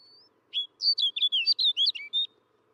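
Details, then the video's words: Snow bunting singing: a quick run of about ten clear, warbled and slurred notes, some rising and some falling, packed into under two seconds after a faint thin whistle, with a steady low hum behind. "SOUND OF A SNOW BUNTING 🔊 What does a snow bunting sound"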